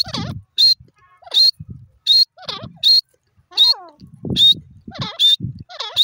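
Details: Irani teetar francolin giving repeated harsh descending notes, interleaved with sharp high whistled squeaks, about one call per second, with low thumping handling noises between them.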